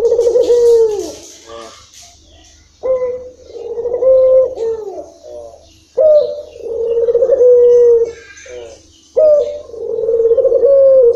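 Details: Long-rhythm song of a local spotted dove: mellow, low cooing phrases repeated about every three seconds, each starting with a sharp onset and then drawn out and even, with faint chirps between phrases.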